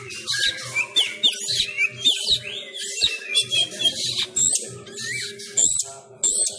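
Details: Home-trained kacer sumatra (Oriental magpie-robin) during Covid-19 restrictions, singing fighting style: choppy bursts of hissing, chirping and short whistles in quick succession, with a faint steady hum beneath.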